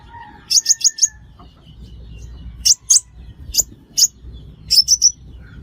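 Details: Sunbird calls used to entice birds into traps: a rapid run of four high chirps, then single sharp ticks and a closing trio of chirps, with faint thin whistles in the background.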